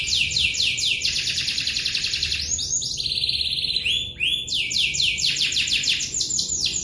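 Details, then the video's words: Canary delivering an extended roll: fast descending sweeps merge into a sustained buzzy trill, drop to a lower rolling phrase, then return to quick high sweeping notes, all without break. "Burung Kenari Ngeroll Panjang..Gacor !"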